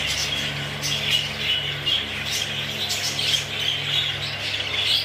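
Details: English show budgerigars twittering and chirping in irregular bursts, with a constant low mechanical hum underneath.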